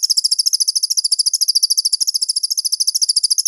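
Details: Crested jay recorded as master material for training songbirds: a quick, regular, high chattering rattle of sharp ticks, about a dozen per second, in a quiet setting.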